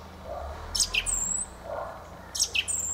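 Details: Two brief Fieldfare phrases: a rasping burst with a high squeaky whistle, repeated after about one and a half seconds.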